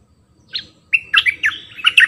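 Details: One clipped note, then a flowing run of sweet, slurred whistles from a decoy bulbul kept in a cage. A faint low rumble lies beneath.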